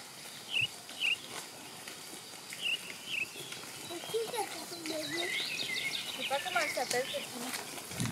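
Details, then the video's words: A mistle thrush sings a few short high notes, then a run of varied, fluty rising and falling phrases, in an agro-ecological pasture, over outdoor rustling. "l'oiseau qui chante est la grive draine"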